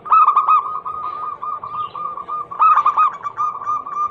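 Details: Zebra dove lure song to prompt other doves into singing: two loud rolling coo bursts, each followed by a long, steady run of soft repeated coo notes.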